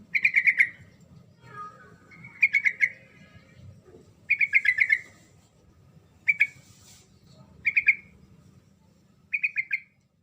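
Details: Sooty-headed bulbul in lively, continuous song meant to provoke a silent bird into answering: bursts of four to six bright, quick, bubbling notes, repeated roughly every one and a half to two seconds, with a low hum beneath.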